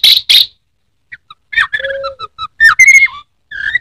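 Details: Anis merah, the Orange-headed thrush popular as a kept songbird in Indonesia, sings two loud bursts, then after a pause a varied phrase of short piping notes, a low flat whistle and slurred whistles.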